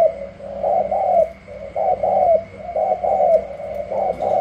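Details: Competing spotted doves from Cà Mau, Vietnam, including a newly caught wild bird: continuous gruff cooing in linked phrases, about once a second, each note sliding slightly down, with faint hum in the background.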